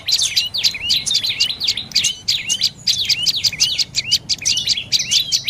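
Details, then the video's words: Rapid, high, sharp chirps from a dark-necked tailorbird of northern Thai forest edges and orchards, delivered in quick clustered bursts with brief gaps, each note sweeping steeply downward and then up. "เสียงนกกระจิบคอดำDark necked Tailorbird Sounds"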